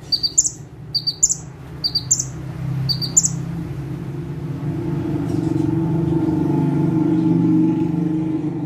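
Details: Bar-winged prinia (ciblek, prenjak tebu) singing in full bursts from a single perch; four quick clusters of high, bright chirps in the first three seconds, then a rising engine-like rumble takes over and the song stops.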